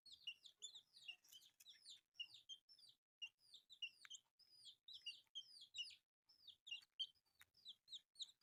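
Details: Baby chicks feeding on rice make high, looping peeps, roughly fifty per minute, in irregular overlapping bursts.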